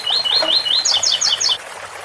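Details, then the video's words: Double-collared seedeater in ouro fino song (8x4 - 7x4) with fountain water in the background. Four rising whistled notes lead into four higher, paired, downward-sweeping notes, delivered fast and loud, then trickling water continues. "Coleiro ouro fino 8x4 - 7x4 com som de fonte de agua"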